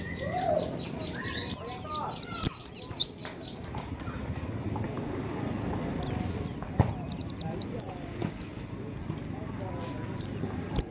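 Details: White-eye used as a lure to make other white-eyes start singing: bursts of very high, rapid chirping twitters, each lasting about a second, separated by short quiet gaps over a low background hum.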